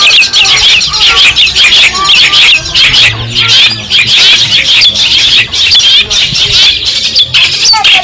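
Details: Madura long-tailed shrike, a recording used to train other songbirds and anger rivals: loud, gritty, continuous chatter mixed with short whistled phrases and harsh buzzes.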